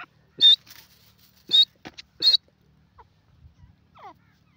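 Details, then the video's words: Grey francolin gives three loud, high, piercing notes about a second apart, followed by faint scattered softer notes in a quiet setting. "teetar ki awaaz grey francolin top awaz"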